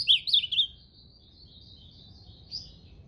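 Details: Ultramarine grosbeak song: a brief burst of quick warbling whistled notes, then a thin, faint trailing whistle with one short note near the end, over quiet background.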